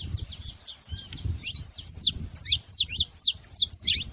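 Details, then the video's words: A group of saffron finches chattering together, giving quick, piercing high chirps and downward-sweeping notes in uneven clusters, bright and insistent, over faint low background noise. "Canário da terra junto fazendo barulho"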